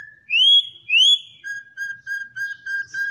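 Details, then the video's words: Campo troupial, a popular Brazilian songbird, in classic song: two loud upslurred whistles followed by a quick series of six short, even, lower whistled notes. "Cantos De "Corrupião" MAIS BONITOS e MELHORES"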